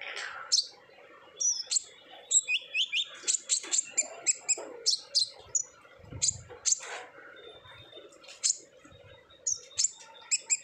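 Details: Olive-backed sunbird in energetic 'ngobra'-style song, used as a lure to get untrained sunbirds singing; rapid high thin chirps and short whistled notes in quick bursts, some descending slurs, faint low hum underneath.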